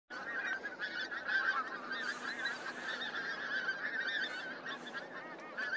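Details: Pink-footed geese recorded at Starene in 2023; a dense, continuous chorus of many overlapping nasal honking calls runs through the whole recording without pause, with no other clear sounds.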